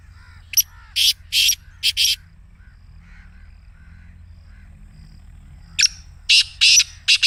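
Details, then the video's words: Harsh rasping Black Francolin phrases in the excited voice played each morning to make a kept francolin call. Two bursts of grating notes are separated by a quiet gap of soft distant chirps from other birds. "کالے تیتر کو بلوانے کا آزمودہ طریقہ | کالے تیتر کی مستی والی آواز | Black Teetar Voice"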